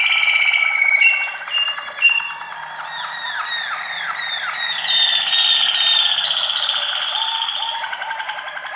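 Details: Waterslager canary singing: rolling bubbling notes, then a string of looping, gurgling water-like phrases, continuing as a steady warbling trill.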